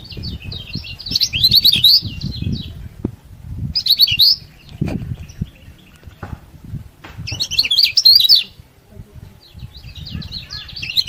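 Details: Vigorous yellow-bellied prinia song meant to stir idle prinias into singing and rouse rivals: three short bursts of high, scratchy chattering twitters separated by pauses, over a low rumbling background.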